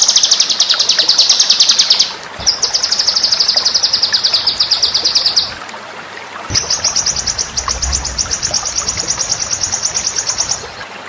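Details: White-rumped shama song used as a training master for contest birds: three long, fast, buzzy high trills, each a few seconds long, separated by short pauses.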